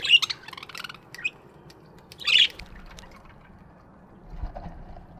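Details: Budgies in an aviary in the morning: a few sharp chirps open the recording, a louder squawky chirp comes a couple of seconds later, then quieter low rustling.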